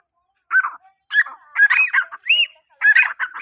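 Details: Grey francolin call meant to attract other francolins: short, hoarse, rising-and-falling notes in uneven bursts after a half-second pause, growing louder and denser toward the end.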